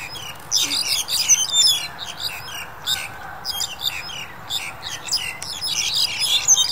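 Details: Black-collared Starling in January 2021, pandemic period: clusters of sharp, squeaky chirps and thin whistles arriving in bursts separated by brief pauses.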